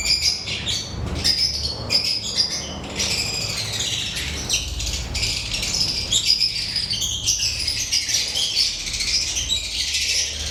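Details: Lovebirds chirping continuously, a dense chorus of high, overlapping squeaky chirps and tweets with little pause, several birds calling at once over a low background rumble.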